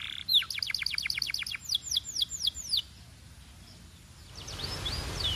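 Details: Belgian canary sings a quick run of sharp chips that slows into loud falling whistles, then stops; faint high notes return over a soft rushing background.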